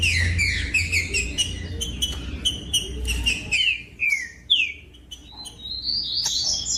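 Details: Captive green-winged saltator song used to warm up other birds: quick whistled notes over a low hum, followed by a few loud sweeping down-slurred whistles and a closing high chirp.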